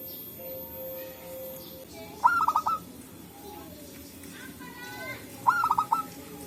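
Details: Local zebra doves answering each other naturally in forest, recorded as a trapping lure: a steady low hum first, then two brisk stuttering coo phrases, each a rising note followed by rapid clipped notes, with soft twittering between them.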